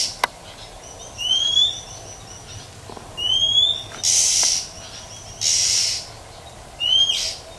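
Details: Female Oriental magpie-robin in the wild, calling to excite males. Clear upslurred whistles alternate with three rasping, hissy chẹp bursts, each about half a second long, over a quiet background.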